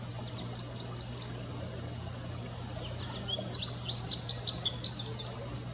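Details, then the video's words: An American goldfinch sings high, thin twittering notes in quick bursts, with a steady low hum underneath. "American Goldfinch singing"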